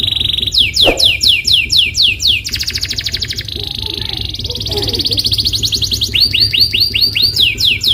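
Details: Canary used as a singing lure: series of sweeping down-slurred notes, a dense buzzing roll, sustained whistled tones, then more repeated arching notes to the end.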